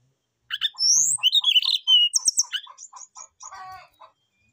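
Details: Brown-chested jungle flycatcher calling a rival with a loud run of rising whistles and buzzy slurred notes, then a rapid trill, fading into soft repeated chirps.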